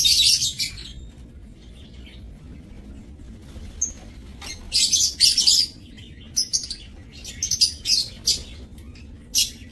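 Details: Caged lovebirds kept for breeding in an aviary, 30 May 2024, give loud piercing chirps, first in a dense burst, then in irregular quick pairs and triplets scattered over several seconds.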